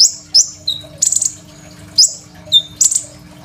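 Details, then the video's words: Crimson sunbird in full, varied song, phone-recorded as a master for training young songbirds: sharp, very high chirps and short downslurred notes in separate bursts with brief pauses between them. "KOLIBRI NINJA GACOR FULL ISIAN SUPER MEWAH, 100% COCOK BUAT MASTERAN KONIN BAHAN"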